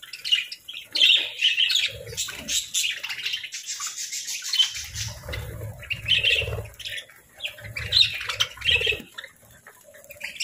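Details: Morning feeding of pet parakeets: sharp, high chirps and chattering twitters come in clusters, with rustling, thumps and low rumbling noise between them.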